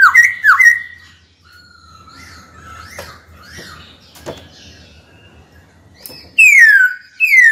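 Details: Caged white-cheeked laughingthrush singing to call a rival to fight: two loud looping whistles, then a long stretch of soft distant notes and clicks, ending with sharp downslurred whistles.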